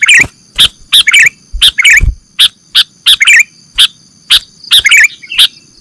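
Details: Bird-trapping lure of a sooty-headed bulbul: evenly spaced sharp chirps, some followed by short warbled twitters, recurring roughly every half second over low background hum.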